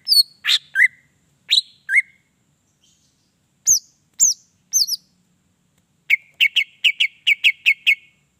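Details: Greater green leafbird song meant to provoke other leafbirds: varied chirps and slurred whistles, spaced downward-sweeping notes, then a fast run of about ten crisp repeated chips.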